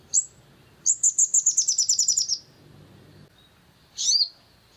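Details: Long-tailed shrike singing, used as a lure to provoke other shrikes into song: a short high chirp, then a rapid run of about twelve sharp, high trilled notes, a pause, and a final buzzy downslurred note.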